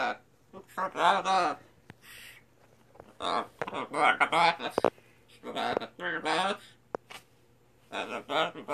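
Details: Scarlet macaw indoors mimicking human speech, singing a 'Sinbad the Sailor man' tune, in short voice-like bursts of two or three syllables, with pauses of about a second between phrases.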